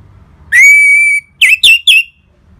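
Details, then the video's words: Orange-headed thrush ngeplong song used to trigger caged birds into singing: a long, steady, pure whistle followed by three quick, bright, slurred notes. "ANIS MERAH Ngeplong Mantap Pancingan Burung Langsung Nyaut Gacor Pembangkit Emosi dan Birahi"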